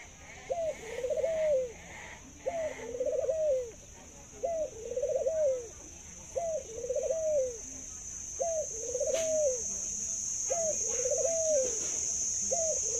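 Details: A pet zebra dove noted for its laughing voice and exceptionally long coo. It delivers six regular phrases about every two seconds, each a short upslurred note and a bubbling descending coo, against a steady high-pitched hiss.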